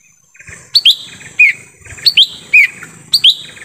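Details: Lesser green leafbird in forest giving a lure call for wild birds: three quick phrases, each a pair of rising whistles followed by a lower slurred note, repeated roughly every second.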